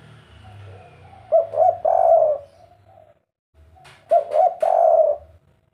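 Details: Spotted dove singing kuk 3 style, two phrases about three seconds apart, each made of two short coos and a longer drawn coo, with sharp clicking noises beside the second phrase.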